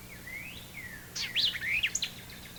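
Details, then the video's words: White-eyed vireo song: faint slurred whistles, then a sharp, emphatic burst of quick snappy notes, a chick-purweo-chick phrase, over a low steady hum. "the white-eyed song is a sharp chick-purweo chick."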